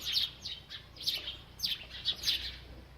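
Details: Bird eating and calling: five crisp, high, slightly descending chirps spaced about half a second apart, clear over a quiet background.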